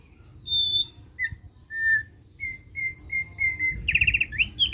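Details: Thick-billed white-eye singing in the ngeriwik chattering style, meant to draw song from other birds: a string of short clean whistles at similar pitch, ending in a fast rattling trill and rising slurred notes over a faint low rumble.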